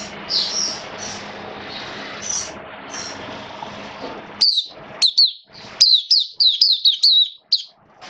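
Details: Caged Oriental white-eye singing during wet rainy weather: a fast run of high, bright chirps and warbled notes, clustered in bursts near the end, over a steady background hum with faint traffic-like noise.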